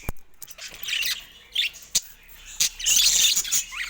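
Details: Caged budgerigars near a camera: bursts of scratchy warbling and chirps separated by sharp knocking clicks, with a dense twittering burst toward the end.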